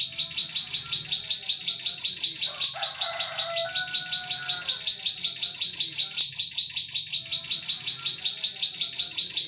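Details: Bar-winged prinia (Prinia familiaris), song.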